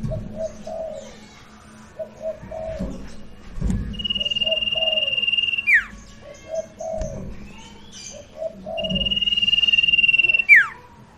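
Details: A newly bought Golden-bellied Gerygone, singing well with varied song despite faded, messy plumage, gives long, thin, high whistles ending in a sharp falling slur, twice, over steady low cooing from a dove.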